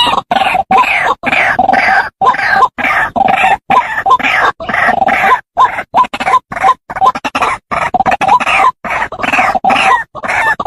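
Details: White-breasted waterhen lure recording for trapping: dense series of harsh, croaking phrases repeated almost three times a second, rough and nasal with small upward inflections, broken by short gaps.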